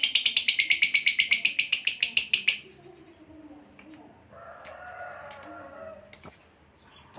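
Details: Lovebird recording for training pet birds: a couple of seconds of rapid shrill pulsed chatter, then quieter pauses broken by isolated sharp high chips and a faint low rustle.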